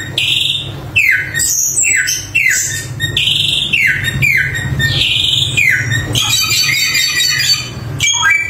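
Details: Energetic Samyong song: a run of bright descending whistles, each sliding down sharply and repeated about every half second, then a dense, rattling high warble near the end.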